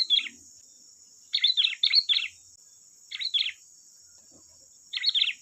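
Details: Softer sooty-headed bulbul song used as a lure to provoke replies: doubled, chattering phrases of rapid bubbly notes in loose bursts, with a strong steady high hum throughout.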